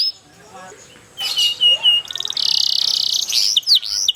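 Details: Atlantic canary song used as a lure to start other canaries singing: quiet at first, then bright high whistles, a rapid buzzing trill of even pulses and sharp chirps.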